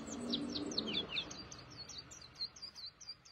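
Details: Caged white-eye (pleci) in Indonesia singing actively: a quick run of high, thin, sharply slurred chirps and twitters, tumbling rapidly over each other, with a low muffled rumble of background noise in the first second.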